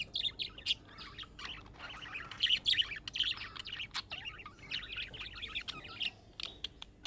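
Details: Budgerigar heard in a steady stream of chick-like calling chirps meant to get other budgerigars answering: rapid high twittering and clicks that run almost unbroken throughout.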